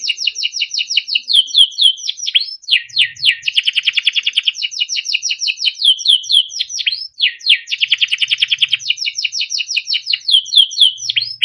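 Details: Continuous melodic singing from a yellow Timbrado canary: phrases of falling whistled notes alternate with fast rolling rattles. The pattern repeats twice across the passage.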